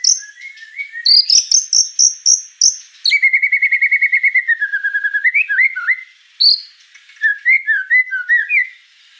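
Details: Vigorous gacor song of a white-rumped shama: high whistled phrases, then a long rapid trill sliding gradually downward, followed by varied looping slurred whistles with short pauses.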